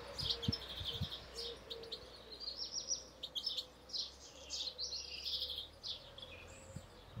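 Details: European goldfinch singing a long, lively sequence of rapid twitters, chirps and buzzy trills, nearly continuous for seven seconds, with faint low background rumble.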